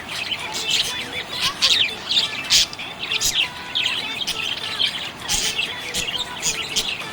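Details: Contented budgies chirping and squawking: harsh short squawks punctuate rapid high twitters and warbles, the chatter flowing without a break.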